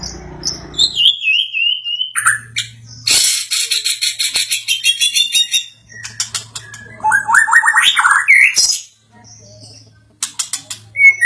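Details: White-rumped shama agitated by a played sound sings varied whistles, harsh buzzy bursts and rapid descending note runs, separated by short pauses with faint low hum.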